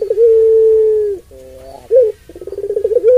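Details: Long steady coo from a puter pelung dove, sung to excite other doves: an even moan lasting over a second, a soft trailing note, a quick hoot, then a throbbing pulsed burst that builds again.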